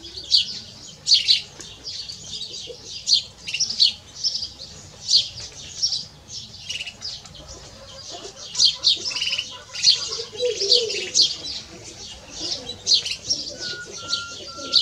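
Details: Canary x goldfinch hybrid, known as mixto de jilguero, singing in lively bursts of high twittering chirps with small gaps between, ending with a faint whistled tone.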